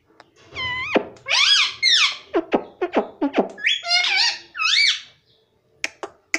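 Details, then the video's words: Chatty pet parrot imitating "mummy" and "papa": a rapid run of squeaky, buzzy, rising and falling syllables and sharp clicks for about five seconds, then a few scattered ticks. "parrot talking mummy papa || मम्मी पापा बोलता तोता"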